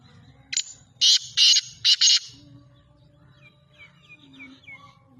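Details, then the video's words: Francolin calling with four loud, harsh, grating bursts packed into about a second and a half, followed by faint thin whistles from other small birds over a low background rumble. "تیتر کی پیاری آواز"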